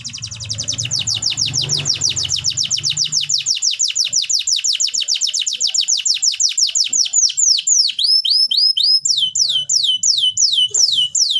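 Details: Canary song for birds that stopped singing: a long rapid trill of sharp falling notes that gradually slows into spaced whistled downsweeps and hooked notes, with low background hum at the start.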